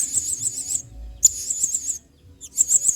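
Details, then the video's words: Blue-crowned hanging parrot singing eagerly as a model song for training other birds, in the style locally called singa: very high, shrill, rapidly trilled phrases under a second long, separated by brief pauses, with faint low background rumble. "BURUNG SERINDIT GACOR PENUH EMOSI MAIN SINGA"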